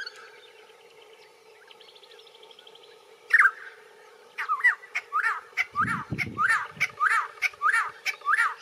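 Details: Little friarbird feeding in a bottlebrush tree, giving a strange call: one harsh note, then a loud run of about ten repeated, chopped, nasal notes, roughly two each second, over a faint steady hum.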